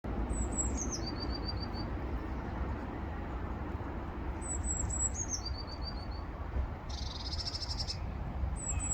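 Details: Blue tit singing: two phrases of high thin notes that fall into a quick trill of lower ringing notes, about five seconds apart, with a brief rattly burst between them, over a constant low rumble of wind or traffic.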